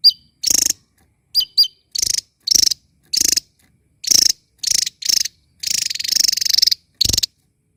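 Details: Small bird chattering loudly while dancing: harsh, buzzy rasping bursts about a quarter to half a second long, separated by short gaps, with a few brief sharp chirps between them.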